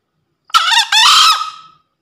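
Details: Male green junglefowl, in breeding condition, gives its crow used for training quiet birds or luring: a rough broken first note and a longer strident second part that slowly fades, with clean silence around it.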